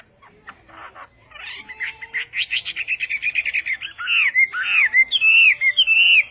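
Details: Western-type Chinese hwamei in Vietnamese song: soft scratchy notes build into a rapid, even trill of loud chirps, then give way to ringing slurred whistles that bend up and down, repeated in quick bursts.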